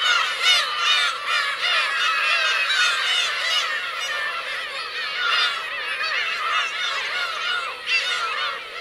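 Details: Black-tailed gull families at Kurosaki coast, Teuri Island, Hokkaido, 17 June 2021; many gulls give rapid, overlapping nasal mews and laughing cries in a constant, busy chorus.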